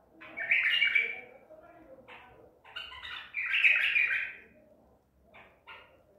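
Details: ['White-eared bulbul of the Baghdadi type, caught at Medical City, recorded 14 April 2021: two loud rich warbled phrases around one second long, separated by softer chattering notes.']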